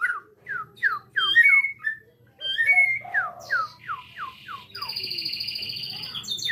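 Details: White-rumped shama (murai batu) recorded at Cipinang Muara: a run of repeated downward-slurred whistles, about two per second, with a few higher sharp notes, then a sustained buzzy high trill over steady background hum.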